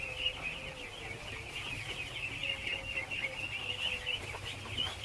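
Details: Thousands of ducklings being fed, a dense continuous chorus of high peeping from many birds at once, with a few lower calls and background noise.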